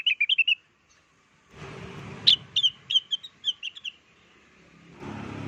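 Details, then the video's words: Blue-winged leafbird lure song: a quick cluster of whistled notes, a pause, then a loud sharp note and a descending series of clear whistles, with bursts of rumbling noise around them. "Suara pikat burung cucak wilis gacor atau rengganis di jamin ampuh langsung nyaut"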